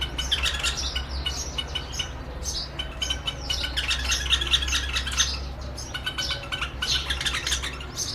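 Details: White-eared Bulbul pair singing at a mirror on a Rajasthan window sill, answering their reflection as a competitor; continuous jumbled chirps and squawky notes, about two per second, over a constant low mechanical hum.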